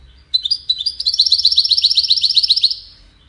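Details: Wedani European goldfinch singing a fast, rhythmic run of sparkling twittered notes, about four per second, rising into a steady jingling trill before stopping.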